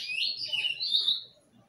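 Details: Bullfinch singing a brief burst of clear whistled notes, sliding up and down, loud and close, ending in a falling tail.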